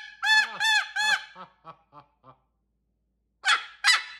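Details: Pet cockatoo imitating barking: three loud, nasal, honking barks in quick succession, then four softer, fading notes, a pause, and two harsh screechy bursts.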